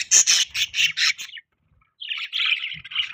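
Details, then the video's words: Pet budgerigar chirping in a dense run of loud, harsh chattering notes, a short pause, then a softer continuous warbling chatter. "Budgie Chirping Sound | Budgie Beautiful Voice | Budgies Parrot Sound"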